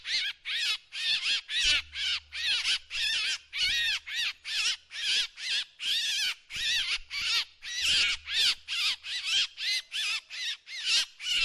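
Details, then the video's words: Long, dense string of harsh drongo notes, rasping and chattering at a quick, steady pace, with bending overtones and occasional low background hum. "เสียงนกแชงแชว ສຽງນົກແຊວ"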